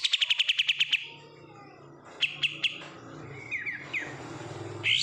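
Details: Oriental white-eye kept in a cage, reared from bulk-bought birds, opens with a fast burst of nine bright repeated notes, followed after a pause by short clipped chirps and thin slurred whistles, with a low hum underneath.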